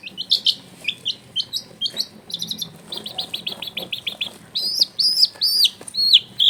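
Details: Long-tailed shrike song used to prompt a lazy bird to sing: high, sharp chirps repeated in quick runs, about two per second, ending in louder arched whistled notes.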